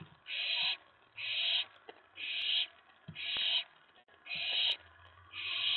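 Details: Owlet at night in a nest box, May 19 2017, excited when another owl arrives after a mouse delivery; six rasping hisses about a second apart, with soft low thumps in between.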